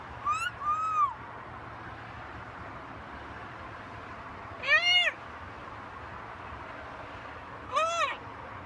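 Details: Macaw parrot talking: a sliding two-part syllable at the start, then two separate loud, harsh arched calls about three seconds apart, over faint room hum.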